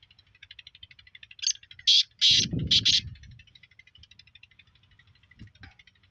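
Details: Black francolin in Sindh, Pakistan, giving a short burst of four loud, harsh, grating notes in quick succession, over a steady rapid ticking of insect-like pulses and a low rumble.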